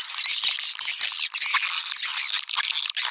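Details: Swiftlet calls used to lure swiftlets: a busy stream of high, sharp chirps and thin whistled lines, layered and nearly unbroken, with a few short pauses.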